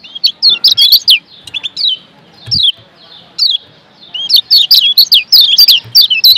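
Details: Lombok yellow white-eye in a tutor recording used for training: scattered high chirps first, a lull, then a sustained fast series of sharp, sweeping twitters through the final seconds.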